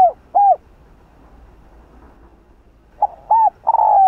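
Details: Spotted dove in the 'Hạp Bổi' voice, cooing to provoke rival doves. Two short hollow coos open the recording, then a long quiet pause. A fresh phrase of short coos and a sustained coo begins at the end.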